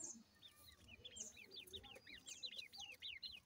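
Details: Grey francolin chicks at feeding time give dense, high, thin peeps. Each note is a short rising-then-falling chirp. The peeps overlap rapidly through the whole stretch, with a faint low background hum.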